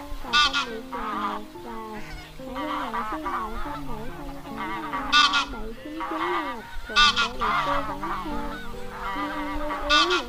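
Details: Wild geese calling the flock, a lure sound for net trapping; a busy chorus of wavering honks with loud harsh outbursts recurring irregularly, about every two seconds.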